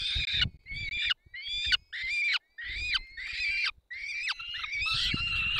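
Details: Peregrine falcon young at the nest in the Barycz Valley, 3 May 2024, begging during a feeding by both parents: a regular series of short rasping screeches, about one and a half per second, with soft knocks beneath.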